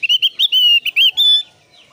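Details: Javan grey-throated white-eye singing, used as a lure to make other caged white-eyes sing; quick run of high, clear whistled notes ending on a sustained thin whistle.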